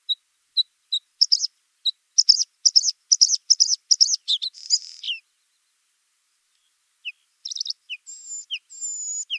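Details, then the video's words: Bluethroat singing scattered single notes that speed into a rapid, repeated chattering phrase and end with a buzzy slur; after a silence, short notes and long thin high whistles. "Варакушка (Luscinia svecica) - голос"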